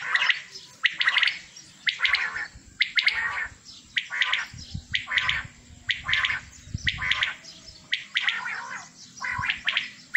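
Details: Caged male common quails from a group of 27 give repeated bright, clipped note clusters roughly every second for ten seconds, steady and insistent, with a low hum underneath.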